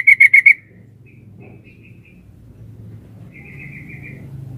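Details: Female sooty-headed bulbul calling to the male: a quick burst of four bright, ringing notes at the start, then faint softer echoes of the same notes over a low background hum.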